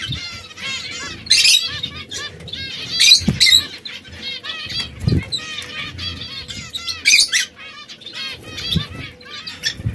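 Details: Red, yellow and brown canaries together, small exotic birds known for their song: a steady run of clear, rising, hooked whistled notes, repeated quickly, broken by several loud buzzy rattling bursts and faint knocks.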